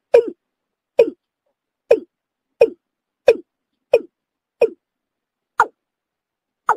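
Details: A Watercock call, used as a lure for bird hunting: nine short, hollow, low 'kok' notes, spaced about one second apart, with clean silence between them and no other sounds.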